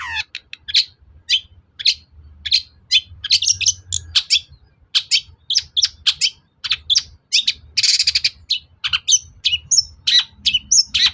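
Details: Long-tailed shrike lure song meant to make other shrikes emotional and answer: a long, dense string of sharp chirps, squeaks and scratchy notes, with one loud grating burst midway.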